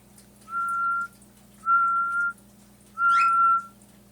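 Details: A 2-year-old hand-fed pet female Mulga Parrot gives one of its fairly quiet calls: three pure, level whistles, each about half a second, roughly a second apart, over a low steady hum; cockatiels are kept nearby.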